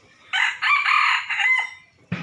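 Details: A young decoy rooster gives one hoarse, drawn-out crow of about a second and a half, rising and then trailing off. A second crow begins just as it ends.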